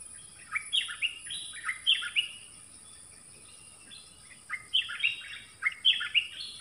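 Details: Decoy dok taeng bird calling for a mate in the forest, recorded 13 January 2021: two bursts of quick, bright, descending chirps in clusters, separated by a quiet pause, over a faint steady high hiss.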